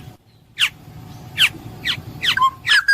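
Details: Black-naped oriole (kepodang emas) uttering a handful of separate harsh, downward-sliding notes spaced roughly half a second apart, ending with a short whistled note over faint low background hum.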